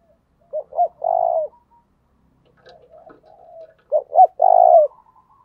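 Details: Spotted dove cooing, played as a lure to make caged doves coo: two short low hoots followed by a longer drawn-out coo, a softer murmured phrase, then the same hoot-hoot-long coo pattern repeated, clean and close.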